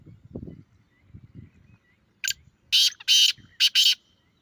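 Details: Grey francolin call, played to prompt a captive bird to answer. Low murmuring comes first. Then a short burst is followed by three loud, harsh, ringing notes in quick succession, each lasting about a quarter second.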